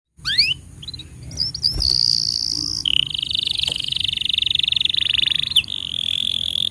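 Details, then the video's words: Canary tutor song meant for young birds and for canaries that stopped singing: a rising sweep, then long buzzy rolls held high, dropping to a lower rapid trill, with a faint low hum underneath. "Masteran Untuk Kenari Paud Dan Pancingan Kenari Macet Bunyi"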